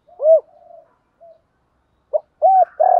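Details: Spotted dove calling to stimulate males in training: an opening arched coo with a soft trailing murmur, silence, then a short sharp note, a rounded coo and the start of a rough extended coo.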